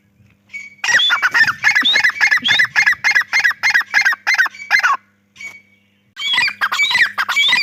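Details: A loud, rapid run of harsh, ringing grey francolin (dahkni teetar) calls repeats several times a second for about four seconds. After a brief pause, the burst resumes, over a faint low hum.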